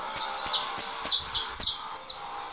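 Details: Saffron finch of 'russo' style coming out of molt, answering another bird's song played from a phone; five loud, sharp, high descending chips in quick succession, then fainter notes.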